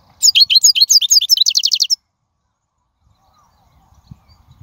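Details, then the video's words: Wild European goldfinch singing, a recording meant for tutoring young birds: a quick liquid twittering run of high, clipped notes that tightens into a fast trill for about two seconds, then silence. "من أقوى اغاني | طائر الحسون | البرية"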